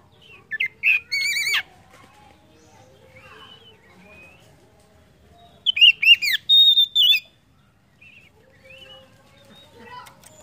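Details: Oriental magpie-robin song meant to stimulate other birds into singing: a burst of ringing whistled notes, long quiet gap with faint soft sounds, then a second burst of slurred whistles and a held level note.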